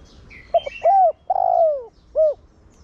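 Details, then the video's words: Spotted dove in the Thổ Đồng voice style, a lure bird cooing to prompt other doves to coo quickly; a soft double note followed by a drawn-out, gently falling coo and a final short rounded coo. "Cu gáy Giọng Thổ Đồng Gáy Gọi kích bổi nhanh gáy/cu gáy mồi kích bổi mau nổi"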